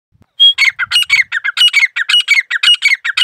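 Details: Grey partridge belonging to the recordist calls loudly and steadily: one thin squeak, then a rhythmic string of harsh, scratchy, grating notes repeated close to twice a second in a quiet setting.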